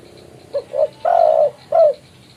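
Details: Spotted dove calling a rival, a sound used for lure trapping: two short soft notes, then a long drawn-out coo and a final shorter coo, mellow and low, over a faint hiss.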